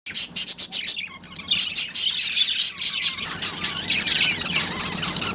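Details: A breeding pair of budgerigars, Australian parrots, giving dense scratchy chirps and squawks in rapid bursts, many overlapping calls with several birds chattering at once.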